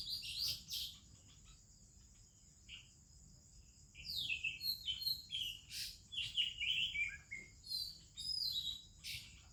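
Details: Oriental magpie-robin heard in the morning in India alongside other birds: a few scattered high notes, a pause, then a lively stretch of clear whistled phrases and quick down-slurred chirps, with a persistent high-pitched insect drone.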